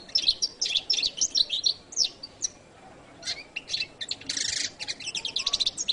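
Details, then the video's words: Song of a goldfinch called jilguero latino: bursts of bright high twitters and chirps, a brief quiet gap, then a harsh buzzy note followed by quick repeated trilled notes. "canto de jilguero latino"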